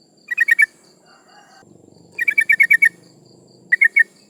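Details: Female sooty-headed bulbul in breeding condition calling males, a lure for rivals: three short bursts of quick, sharp chattering notes over a soft background murmur and hum.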